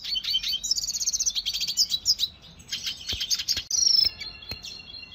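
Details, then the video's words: Red siskin song used to train caged birds: high, dense twittering with rapid buzzy trills, brief pauses, a few sharp clicks and a bright sustained trill near the end. "Pintassilgo da venezuela cantando muito 2020 - Red Siskin training song"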